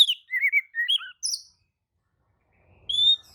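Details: Oriental magpie-robin singing in reply to another magpie-robin's song: a string of short whistled, warbling phrases, then a pause and one clear high whistle near the end.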